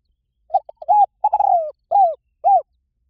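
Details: Spotted dove phrase of clipped stuttering notes, then a level coo, a long falling coo and two arched hoots at the end, clear against silence.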